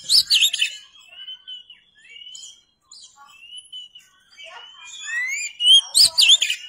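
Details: Oriental magpie-robin song mixing long, pure whistled notes, some flat and some rising, with loud looping chirp bursts at the start and end.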